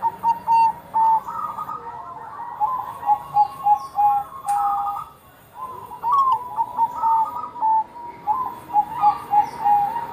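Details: Bangkok zebra dove in lively song, repeated bursts of quick clipped coos separated by brief pauses, two phrases with a gap between them; sound used to trigger other Bangkok zebra doves to start singing.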